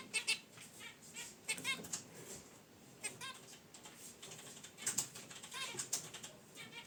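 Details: Pet zebra finches in a cage beside a wicker basket nest give brief nasal honks and chirps in loose bursts, mixed with rustling and light tapping sounds.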